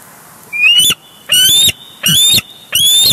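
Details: Bald eagles at the Big Bear Lake nest on June 23, 2022, seen on a live camera as one crashes in to grab its mate's big fish; four loud, high, rising piping whistles about every 0.7 seconds, each breaking into rapid stutters.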